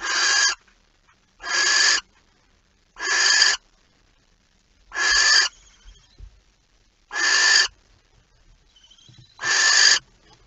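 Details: Barn owl, a male arriving with a mouse at night, 15 September 2019 at 23:43. Six harsh, hissing screeches, each about half a second, repeated roughly every two seconds, with faint soft rustles between them.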